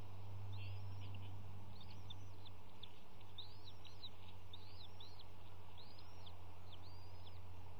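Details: Three bald eaglets calling during an early morning feeding at the nest on March 18, 2018, with both parents near: high, thin, arching chirps repeated roughly every half second in a steady series above a constant low rumble.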